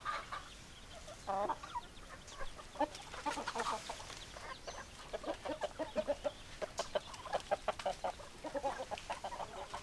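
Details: Hens clucking in a busy chorus of short, clipped notes and a few drawn-out nasal calls, overlapping irregularly throughout with mild background hiss.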